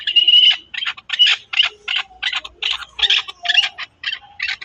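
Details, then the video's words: Chukar partridge (chakor) from Pakistan giving a loud, rhythmic string of harsh, broad chuck notes, roughly three per second, each a short clipped burst, repeated steadily with a clean, quiet background. "chakor ki awaz"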